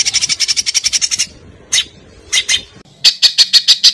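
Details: Songbird material from an Indonesian master recording used to train competition birds: a fast run of sharp repeated chirps, then scattered single notes, ending with a burst of evenly spaced bright notes.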